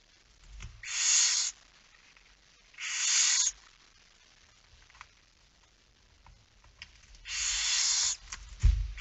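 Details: Night feeding at a barn owl nest on 10 September 2019, 22:45: three long, breathy rasping hisses spaced a few seconds apart, with faint thuds and scuffling in the background.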